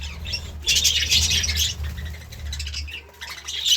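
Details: Budgerigar chirping in the morning: bursts of dense, scratchy high warbling and chatter, loudest in the first second and again near the end, with a quiet pause between and a steady low hum underneath.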